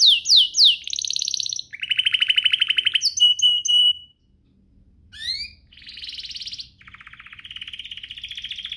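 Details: Canary in full song, played to draw other canaries into singing: sweeping high notes, then long buzzy trills and a whistled rattle, a brief pause, and rising slurred notes into further fast trills.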